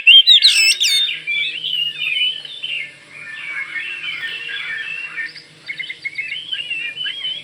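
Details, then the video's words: Kalimantan Oriental magpie-robin singing to prompt other magpie-robins to respond. After a loud opening flourish of high upswept notes, the rest is a quieter, wandering warble of slurred whistles. "Kicau Kacer Kalimantan gacor bikin Kacer cepat ikut nyaut dan ngeplong"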